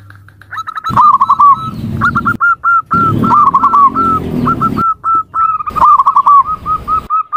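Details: Zebra dove call: repeated short hooked coo notes and rippling trills, fairly fast, over a faint low rumble of background noise, with abrupt breaks.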